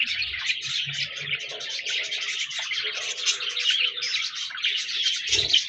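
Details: Budgerigars chirping and chattering continuously, a dense flock-like warble of rapid, buzzy, high twittering notes with no pauses; faint low thumps near the start and end.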